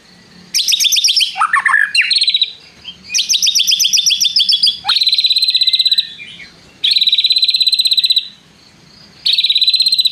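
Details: White-rumped shama (murai batu) in full song, including mimicked long prinia trills: rapid buzzy rattling phrases and sustained fast trills lasting one to two seconds, alternating with brief pauses.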